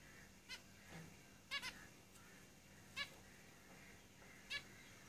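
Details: Several zebra finches in a cage, loud nasal beeps about every second and a half, including a quick double call, with quieter calls in the background and a low room hum.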